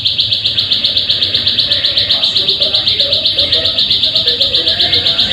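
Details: Plain prinia call used as a lure to make caged birds sing: a fast, steady run of high, metallic notes, about four per second, repeated evenly throughout with a faint low hum underneath.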